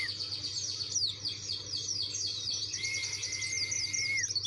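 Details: Challenging white-eye (pleci dakun) pours out continuous high twittering, a dense series of quick down-slurred notes, while a long level whistle runs through the second half and a low hum persists.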